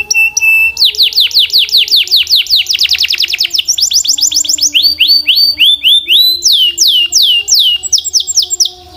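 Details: Canary song that shifts through several tours: a short steady note, rapid falling whistles that speed into a dense burst, then sets of slurred downward notes at different pitches, ending with sharp, high sweeps. Soft low tones run beneath.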